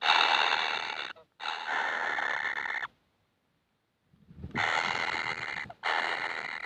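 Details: Baby kingfishers begging for food, described as never full: loud, harsh, buzzy rasping bursts of one to one and a half seconds, rich in high overtones, repeated after short pauses, with one longer silent gap.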